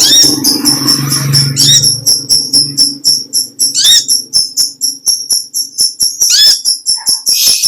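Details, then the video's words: Olive-backed sunbird in the long chattering 'ngekek panjang' style: rapid, evenly repeated high ticking notes pulse several times per second over a low background hum, with thin sweeping whistles at the start and near the end. "Original sound konin kolibri ninja suara lb ngekek panjang gacor"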